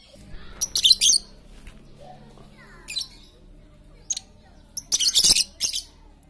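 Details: Lovebird chattering nonstop, used to lure quiet lovebirds into song: scratchy, high, buzzy chatter bursts of varying length, a brief squeak, then a longer rapid stuttering phrase near the end.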